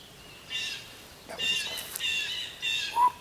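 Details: A Red-bellied Woodpecker in a spring backyard near Hawk Mountain Sanctuary gives several rolling, burry churr notes about half a second apart; it was also drumming nearby, and another bird whistles briefly at the end.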